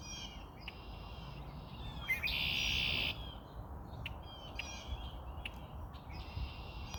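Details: Red-winged blackbird perched on a branch, giving short whistled notes followed by a dense buzzy trill lasting about a second, then more brief repeated notes over steady low background rumble.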